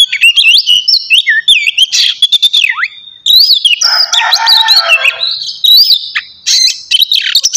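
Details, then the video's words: Oriental magpie-robin in ngeplong style on a morning: fluid looping whistles rising and falling, a dense chattering stretch midway, then renewed clear whistled phrases. "terapi pagi cocok buat mancing emosi dan birahi kacer supaya cepat gacor dan bukor"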